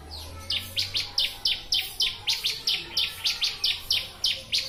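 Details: Bar-winged prinia song used as a master for training birds: an even string of loud, piercing chirps, roughly three a second, each sharply rising and falling, against quiet low background noise.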